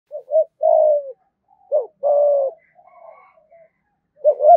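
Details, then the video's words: Spotted dove, a caged lure bird, giving low hooting coos: a short double note then a long falling coo, repeated, with softer quiet coos between phrases. "cu gáy thúc gù giọng thổ đủ bài giọng hay, bổi và cu gáy mồi nghe là rất ức chế"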